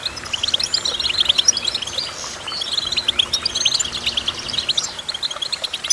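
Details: Goldfinch song: continuous tinkling chatter of short chirps and fast trills in several phrases, with brief pauses between bursts, over light background noise.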